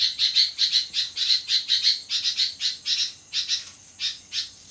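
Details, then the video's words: Sooty-headed bulbul singing actively at midnight: a run of harsh, bright chirps, often paired, repeated about twice a second. The notes thin out and space apart toward the end over a faint steady high whine. "burung kutilang gacor di tengah malam"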